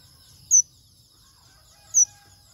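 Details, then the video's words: Fired-up male manh manh bird sings hard: two piercing, high, short chirps about one and a half seconds apart over faint low background noise. "Chim Manh Manh | Manh Manh Trống Kích Bổi Cực Xung"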